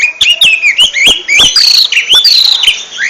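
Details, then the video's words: Continuous ngentrok song of a kacer, the oriental magpie-robin: rich whistled notes bending up and down in quick succession, punctuated by crisp clicks, bright and unbroken throughout. "RAJA NGENTROK!!! Kacer super kicau"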